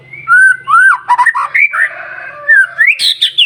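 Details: Loud white-rumped shama song meant to stir other shamas: mellow, fluted whistles rising and falling in quick succession, followed by an upswept phrase and a sharp high flourish, over a faint low hum.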